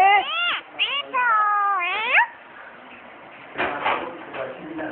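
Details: Pet common myna, prompted by its owner to say hello (salam), mimics human speech in clear, tonal, voice-like phrases with swooping harmonics for about two seconds, followed by breathier, noisier utterances.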